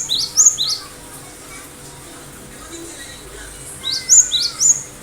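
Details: Cinereous tit in lively song: two phrases, each of three rising, sharp, high whistled notes in quick succession, separated by about three seconds of quiet hiss.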